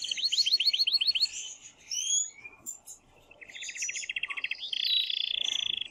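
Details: Male canary in breeding excitement singing to prompt a female to mate; fast high trill, sweeping whistles, then a buzzy rattling roll and a steady ringing trill.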